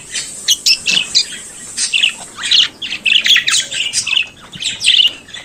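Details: Pet budgerigar, an Australian native kept as a pet, singing and chattering: rapid run of short scratchy chirps and warbles, bursts packed closely with brief gaps, some harsher squawky notes mixed in.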